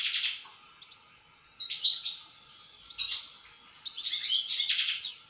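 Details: European goldfinch singing a bright, rapid twittering song of chirps, trills and buzzy notes, delivered in bursts separated by short pauses.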